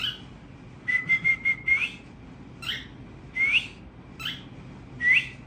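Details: Tamed cockatiels in family song: a sustained level whistle broken by rhythmic pulsed chirps, then several short rising whistles and harsh notes at roughly one-second intervals, soft hum behind.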